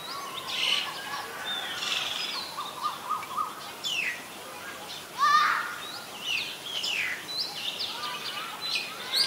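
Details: Common myna in Ubon Ratchathani, Thailand, recorded on 24 February 2022 with a Nikon P1000: a run of varied calls. Sharp downslurred notes, short whistles and harsh chattering phrases overlap and follow each other over several seconds, with faint background noise.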